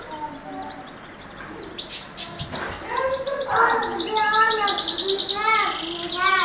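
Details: Goldfinch and canary cross, kept as a pet in Oued Souf, building from soft calls into fast high rattling trills and sweeping whistled notes, with lower murmuring sounds mixed in.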